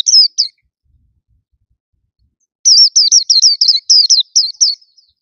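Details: White-eye singing loudly from a hand-held cage, its song full of notes and vigour; a brief high twitter, then a rapid run of sweet swooping notes lasting about two seconds, with no other sounds.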